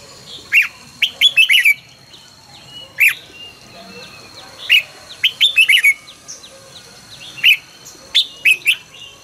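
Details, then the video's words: Red-whiskered bulbul in fast, fired-up morning song training, 2020: loud clear whistled phrases of three to five notes, bursts every one to two seconds, over a thin constant high-pitched tone. "luyện chào mào hót sáng 2020- Hót hay nhanh căng lửa"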